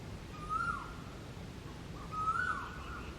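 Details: An Asian koel, described as singing differently from other koels, gives two clear, rising whistled notes about a second and a half apart, over a low rumble of background noise.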